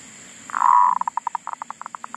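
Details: Zebra dove decoy bird singing in a garden after wild monkeys disturbed it and it had stopped calling: one drawn-out low coo, then a quick run of short staccato cooing notes, slowing slightly toward the end.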